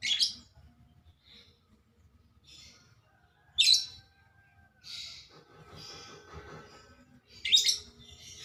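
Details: A very vocal, colourfully marked woodpecker gives three loud, abrupt high chirps spaced a few seconds apart, with fainter short notes and soft rustling in between.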